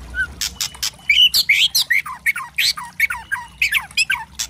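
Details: White-rumped shama singing a loud, varied crackling song to provoke other birds: rapid harsh notes alternating with short downslurred whistles, fast and uneven.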